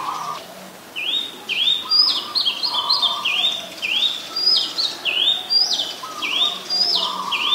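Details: Oriental magpie-robin in Ubon Ratchathani, Thailand, on 7 January 2021, Nikon P1000; loud, evenly spaced rising whistles, almost two per second, mixed with a few higher notes and a low buzzy note now and then.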